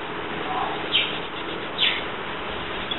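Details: Young Senegal coucals, a few weeks old after losing their nest at about three days: two brief high-pitched squeaky chirps almost a second apart, with a faint lower note before them and background hiss.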